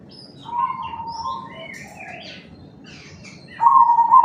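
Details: Black cemani zebra dove whose strong voice serves as a lure to make other zebra doves respond; a trilled coo phrase opens, other birds chirp and twitter in the middle, and a louder coo starts near the end.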